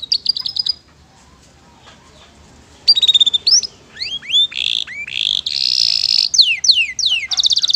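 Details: Canary singing in a training recording: a short high trill, a pause of about two seconds, then rising and falling slurred notes, a buzzy rolling section and final rapid falling notes.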